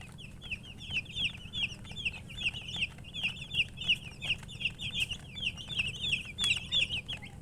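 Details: Chicks chirp in a busy chorus of high, wavering peeps, about three a second and unevenly spaced, over a low steady background hum.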